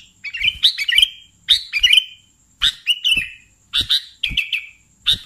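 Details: Sooty-headed bulbul (kutilang) in lively 'gacor' singing: short bursts of two or three sharp chirps, each ending in a buzzy trailing note, the bursts spaced about a second apart, with faint low knocks and a thin steady high whine.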